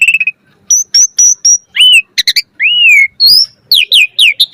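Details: Varied gacor chatter from an Asian pied starling, mompa style: a trilled note, flat whistles in quick succession, clicking notes, an arched whistle, then rapid rising and falling chirps.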